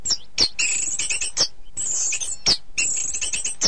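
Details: Contest-training song of an orange-headed thrush: dense, high, rapid twittering trills broken by sharp descending notes roughly every second, over a faint background hiss.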